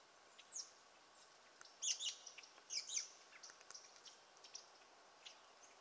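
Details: American goldfinches drinking and eating in a swamp at Roxbury Park, Meggett, South Carolina, give high, thin twittering chirps in two quick bursts, with scattered softer notes between them over a quiet background.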